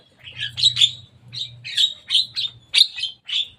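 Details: Javan myna perched on a cage roof, calling in a lively string of about ten short, harsh, squeaky chirps, roughly one per third of a second, over a soft low rumble.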